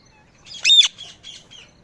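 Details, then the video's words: A single strident parrot squawk, rough and harmonically rich, followed by a couple of quieter chattering notes. "Parrot Calling Sounds | Parrot Chirping Sounds || Parrot Natural Sound"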